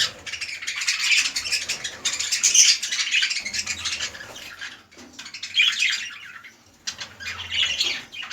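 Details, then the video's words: Budgerigars, a red-eyed lutino breeding pair with a large male and undersized female, calling indoors in bursts of raspy, warbling chatter with short gaps between phrases. "Pair Breeding progress of Budgie || Red Eye Lutino pairing(2020)"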